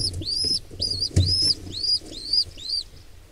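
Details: Wild pigeon squab attacked by an intruder pair: a run of six sharp, high, slightly rising squeals spaced about half a second apart, with a thump and rustling beneath.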